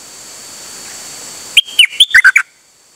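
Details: Nok dok taeng bird, a singing bird recorded 8 September 2023 and said to be out and singing nonstop, gives one quick phrase of six loud whistled notes. The notes hop between high and mid pitch and end in a falling slur. A faint hiss runs behind it.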